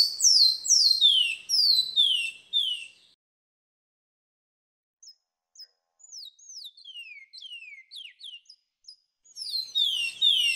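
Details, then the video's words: Kiauw training song of the twa-twa, made for birds to learn from: loud falling whistles, a pause, soft scattered whistled notes from a background choir bird, then the loud whistling resumes. "" TWA TWA " KIAUW 1.0 BEST TRAINING SONG PART ONE "BICUDINHO""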